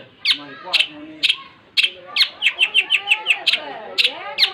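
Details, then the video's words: Energetic long-tailed shrike song: spaced, raspy chattering notes lead into a quick burst of short, high ticking chirps, then more harsh notes. "Suara burung cendet gacor"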